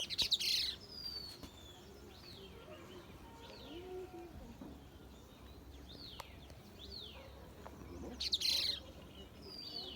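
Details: An unidentified bird gives high, thin, down-slurred chirps at irregular intervals against a hissing, noisy background, with a few sharp broadband clicks at the start and end.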